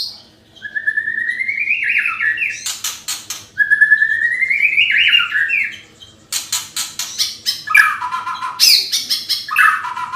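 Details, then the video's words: White-rumped shama in full song, used as a lure for other birds: long whistled phrases rising steadily in pitch, twice, broken by sharp rattling clicks, then a burst of fast varied chattering notes and harsh buzzy bursts. "Pancingan murai bagu gacor"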